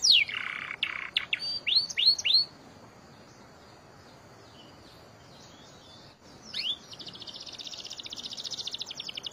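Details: Canary in therapy-style long song: a buzzy lower chatter and a run of four rising whistled notes, then near silence, a single upswept note and a soft high fast trill building toward the end.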